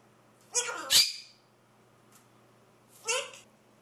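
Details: Macaw chattering away with two loud, harsh, raspy squawks close together, a sharp click between them, a pause, then a third grating call, against a low background hum.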